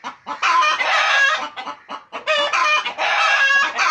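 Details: Pet chickens kept at home, clucking: a dense stream of harsh, overlapping clucks and squawks from several birds, in loud bursts with short pauses between them.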